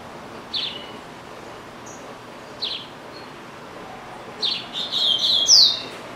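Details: Double-collared seedeater kept in a cage as a pet, singing: two isolated high chirps two seconds apart, then a quick run of bright sweeping whistles and a loud slurred note near the end.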